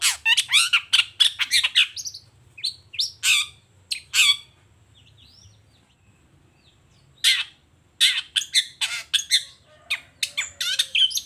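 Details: A long-tailed shrike in full morning song, showing off its repertoire: dense bursts of harsh, chattering notes, a quiet gap of several seconds, then more fast, scratchy phrases and squeaks.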